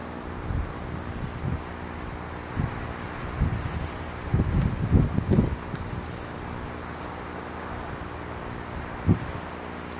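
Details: A Cedar Waxwing on a small island near Winter Harbor, Maine, gives five very high, thin, lisping seee notes, each under half a second and spaced about two seconds apart, over low rumbling wind or handling noise.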